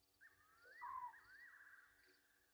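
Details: Night calls of Egyptian geese, 23:34 on 27 August 2023, at Gowrie dam, Djuma Game Reserve, South Africa, from a live waterhole camera: a long wavering tone with a short loud falling note in the middle, and soft pulsing insects behind.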